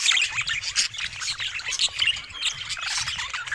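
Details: Short burst of lively budgerigar chatter from pet birds, bright squeaky chirps and fast warbles crowding together.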